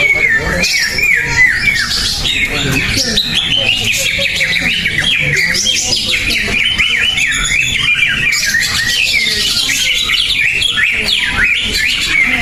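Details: Greater green leafbird competing in a singing contest after winning first place at an earlier event. It delivers a dense run of quick chirps and sliding whistled phrases, with other birds singing over it and faint voices behind.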